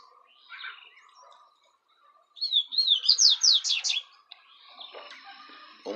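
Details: Double-collared seedeater with the tui-tui song style: a rapid, loud phrase of wavering whistles that turns into fast up-and-down sweeps, with scattered softer chirps and brief clatter before and after.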